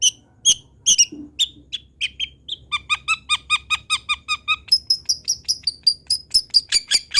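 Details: Long-tailed shrike song for teaching other birds: a few scattered chirps, then rapid repeated twittering notes that shift into a higher, thin, clipped series, roughly three notes per second, over a low hum.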